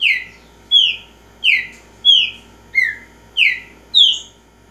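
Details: Repeating Green-winged saltator song: rich whistled notes, each sliding down in pitch, given steadily about every two-thirds of a second, seven in a row.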